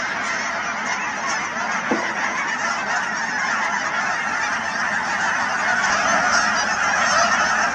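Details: Canada geese by the thousands at Cheam Wetlands, British Columbia, their honks merging into a steady wall of sound that grows slightly louder toward the end.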